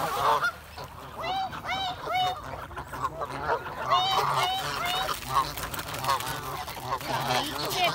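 Several geese honk continuously, overlapping nasal calls tumbling over one another, with a low rumble of background noise.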